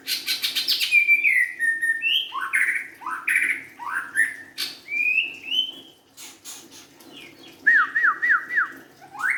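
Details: Young forest-caught white-rumped shama opening with a fast series of ticks, then long descending whistles and varied slurred phrases, ending with a quick run of rising whistled notes.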